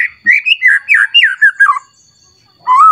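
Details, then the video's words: White-rumped shama, agitated and singing toward a rival: rolling sequence of fluty whistled notes stepping downward, silence, then one rising whistle. "Pancingan Murai Batu Agar Bunyi Langsung emosi Bongkar Isian Mewah"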